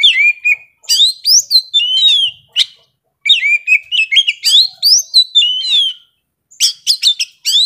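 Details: Young forest Oriental magpie-robin singing intensely: a rich run of clear whistled phrases, rising and falling slurs and sharp high notes, broken by short pauses.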